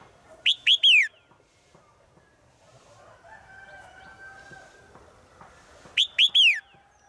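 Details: Female bird in the forest calling to the male, as it does daily: two loud phrases about five seconds apart, each three quick arched, harmonic-rich notes falling at the end, with faint background hum.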